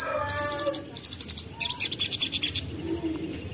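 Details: Lure recording of a young common iora: a run of ringing high notes, a second matching run, then a rapid chattering trill that fades into softer repeated chips.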